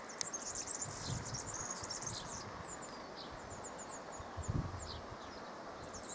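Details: Male European serin singing a high, thin, jingling song for about two seconds, followed by scattered faint high chirps over a steady hiss of background noise.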